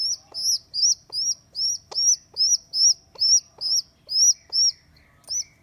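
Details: Day-two rescued baby rock pigeon, abandoned by its mother: loud, evenly spaced high squeaks, each a short arched peep, running steadily over several seconds with soft tapping sounds in between.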